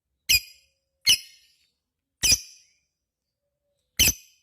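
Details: Lovebird in full-song condition, four separate harsh, shrill chip notes spaced about a second apart, each short and sharp with a quick fade, then silence.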